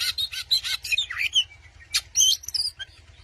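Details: White-rumped shama song used to provoke a rival, in Indonesian training style: fast run of sharp chirps and varied whistled notes with rising and falling sweeps, in bursts of rich high phrases.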